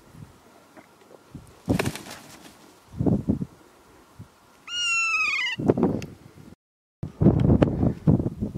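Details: A wild kea at the top of the St Arnaud Range Track, Nelson Lakes National Park, New Zealand, gives one loud, harsh, falling screech lasting about a second, amid thumps, rustling handling noise and a man's brief voice.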